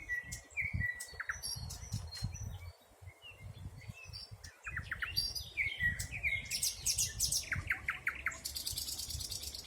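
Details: Spring birdsong in a forest, 2020: scattered thin whistles and chirps at first, building to rapid descending note series and a dense buzzy trill at the end, with steady low rumble beneath.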